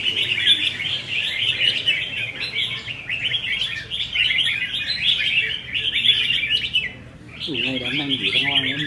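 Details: Several caged red-whiskered bulbuls sing against each other during contest practice, 15 May 2021, in rapid, sweet, chattering phrases that run almost without pause. A brief gap comes near the end, followed by a man's voice.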